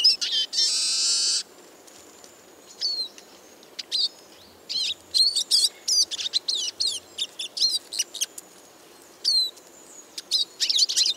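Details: Eurasian siskin song opening with a loud harsh buzzy burst, followed by scattered high twitters and chirping phrases separated by short silences, ending in a wheezy trill.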